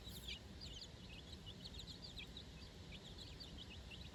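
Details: Four-day-old chicks on fresh grass with their mother for their first time, a busy chorus of high, quick downward-sliding peeps from several birds, over a steady low rumble.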